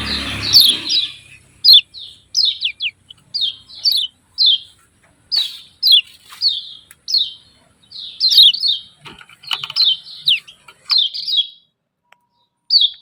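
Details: Yellow-vented bulbul giving repeated "ciak ciak" calls: short sharp chirps in doubled and tripled bursts every second or so, with a faint low rumble at the start.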